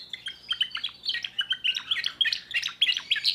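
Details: Short burst of timbrado canary song from a young bird, rapid bright chirps around three per second mixed with rolling trills, steady and lively; a low hum in the background.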